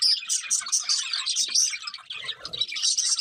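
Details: Budgies singing as they eat, a busy stream of high chirps, squeaks and scratchy warbles overlapping from more than one bird, with a soft low thump midway.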